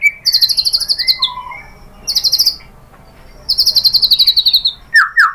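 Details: White-rumped shama lure song meant to provoke singing: high rapid trills of repeated notes in bursts, a lower whistled slur between them, ending with loud downslurred notes.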